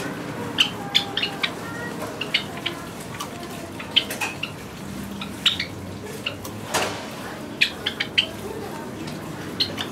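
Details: A caged Java sparrow sunbathing on a cloudy day, its cage left uncovered, gives short, high chip notes at irregular intervals, with a few sharp clicks and a low indoor hum behind.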